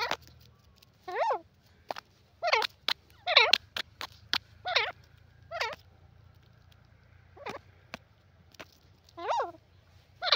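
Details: Calling grey francolin (teetar): a long series of strident, buzzy, harmonic notes, some doubled, spaced about a second apart, interspersed with crisp clicks over a low hum.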